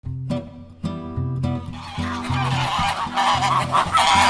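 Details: A group of geese all calling at once: after two seconds of plucked guitar music, a dense clamour of harsh overlapping honks takes over while the music's steady bass pattern continues underneath.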